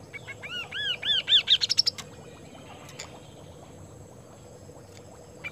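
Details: Kaso-kaso bird singing energetically. A string of arched, rise-and-fall whistles quickens into a rattling run of high notes and then stops. Several seconds of quiet background follow, with faint clicks and hum.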